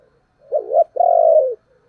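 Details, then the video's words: Caged decoy spotted dove calling to lure wild doves: a wavering double note followed by one long, level, slightly buzzy coo that drops at the end, with no other sounds. "Chim Cu Mồi Thúc và gáy gọi"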